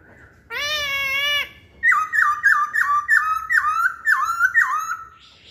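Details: Lure song from a masked laughingthrush: a long steady nasal tone lasting about a second, then a string of eight rhythmic falling whistles, roughly three per second.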